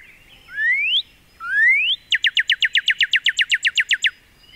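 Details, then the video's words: Northern cardinals calling in trees directly above a backyard mini-pond: two long rising slurred whistles, then a rapid run of about fifteen quick upslurred notes, four per second, clear and loud. "Cardinals make many different calls. Let's listen to a few of them."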